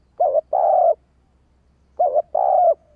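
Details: A female spotted dove's thúc, or urging call, sung to make male doves reply quickly: two low coo phrases roughly two seconds apart, each a short wobbling note and a drawn-out steady one.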